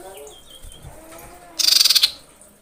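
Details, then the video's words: Common iora (cipoh) female calling males: faint thin whistles, then a brief, loud, dry, buzzy trill of about nine rapid high pulses lasting under half a second. "BUNYI BURUNG CIPOH SIRPU dengar panggilan cipow betina ini"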